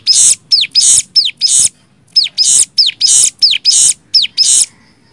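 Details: Cigun performing nembak song as a tutor recording: loud harsh buzzes interleaved with curved descending whistles, a brief gap midway, then more paired notes before fading.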